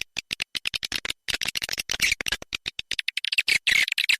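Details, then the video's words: Swiftlets in a 'seruling sakti' lure call played to draw birds to a nest house: rapid bursts of dry, clicking chirps and buzzy twitters, broken by short gaps, with brief rising whistled notes near the end. "Suara panggil sp walet seruling sakti"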